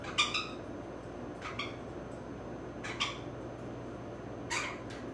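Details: Indoor female Grey-cheeked Parakeet, sixteen years old, adopted pet being given a rough back scratch she enjoys; four short, scratchy squawks separated by pauses of one to one and a half seconds over a quiet room.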